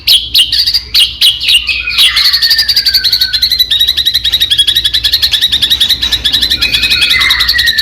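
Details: Murai batu, the white-rumped shama, in loud continuous song used to stir other shamas into singing. A few sharp notes lead into a long, fast, buzzy trill with whistles sliding downward.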